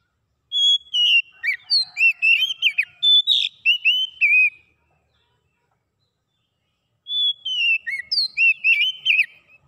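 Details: Oriental magpie-robin song for stimulating a silent bird to sing fast: a pure held whistle leading into busy, varied slurred notes and chirps, silence of a few seconds, then a second rich whistled phrase.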